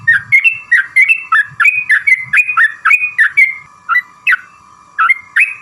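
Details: Yellow-vented bulbul lure song used to make others answer: a regular series of clear two-part whistled notes, rising then dropping, about two a second, followed by sparser notes over a constant hum.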